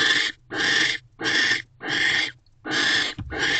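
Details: Nest-box barn owl, 18 December 2023 at 9:11 pm, during a visit when the male mates and guards the entrance; steady rasping hisses about half a second long, separated by short silences.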